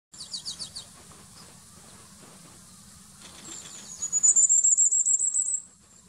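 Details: Firecrest near Leusden, drawn very close by playback: a few very thin, high, lisping notes, then a quick run of needle-fine notes that speeds up and rises slightly before stopping.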